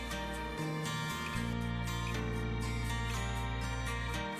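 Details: Soft, sustained instrumental music with layered held tones plays throughout, and no animal voice is heard.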